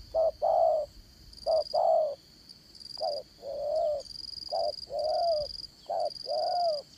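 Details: Spotted dove decoy used for fight-trapping, in the 'dán cổ' style with a 'Đồng Son' voice. It gives low paired coos, a brief note then a longer slightly falling one, repeated about seven times over a steady high buzzing background tone.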